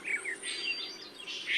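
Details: In a foggy Western Panama cloud forest in April, with frogs and insects around, a Three-wattled Bellbird gives piercing, extremely loud high whistled notes: a few short ones, then a louder sustained whistle over faint forest hiss.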